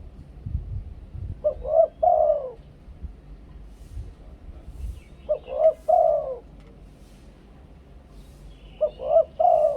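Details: Two-kuk styled coo song of a spotted dove from Thailand, kept as a decoy singer. Short soft cooing phrases return roughly every four seconds over faint low-pitched background hum.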